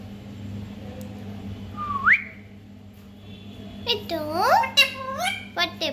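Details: Pet parrot, said to be talking: a single rising whistle, then a run of harsh, harmonic squawks and chattering calls in quick bursts, with low indoor hum in the background.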